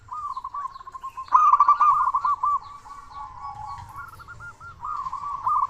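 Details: Zebra dove of local stock used as a master bird for silent doves: fairly quiet runs of rapid trilled, stuttering coos at an even pitch, one louder burst, with soft background noise.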